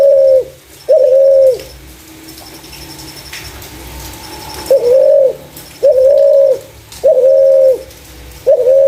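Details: Spotted dove with a clear voice suited to luring other doves: two low coos, a silent stretch of about three seconds, then four more steady, even notes roughly a second apart.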